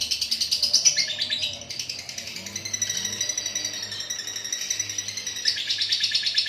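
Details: Lovebird singing its long chattering ngekek song even while moulting: a dense, rapid stream of high buzzy chips and trills, pulsing many times a second with brief shifts in pitch, continuing for several seconds with a faint low hum beneath.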